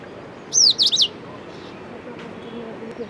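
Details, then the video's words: An Indian robin at Victoria Park, Bhavnagar, Gujarat, India, gives a quick burst of three or four high, sweeping whistled notes, followed by quiet with a low background hum. "Indian Robin Call"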